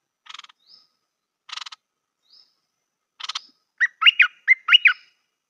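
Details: Stripe-throated bulbul, a new decoy bird, singing in a good style: three short buzzy, rattling bursts with faint thin upslurs between, then rapid, rich whistled warbling phrases, loud and clear over a quiet background.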